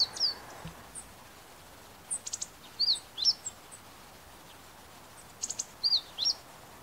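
Meadow Bunting giving high, thin notes in short bursts of two to four, each slurred up and down, spaced a second or two apart over faint background hiss.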